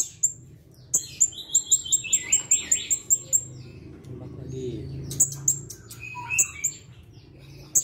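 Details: Blue-crowned hanging parrot answering a lure recording with a lively run of sharp, very high, piercing notes repeated rapidly, mixed with lower twittering phrases and scattered clicks over a steady low background hum.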